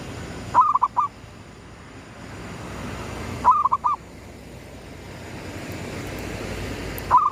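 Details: Local zebra dove cooing as the sun comes up, gedong mengo style lure song: phrases of four or five soft bubbling notes repeated about every three seconds over a faint low rumble.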